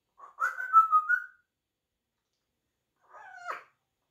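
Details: A male pet African grey parrot playing on his little swing indoors gives a warbling, whistled phrase lasting about a second, then after a pause a short, two-toned whistled call.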